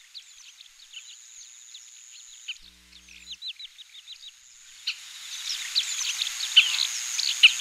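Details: Oriental pratincole calls recorded on 20 April 2016: many short, sharp chirping notes in quick, uneven runs, joined by a thin steady high whine and, in the second half, a rising hiss of background noise.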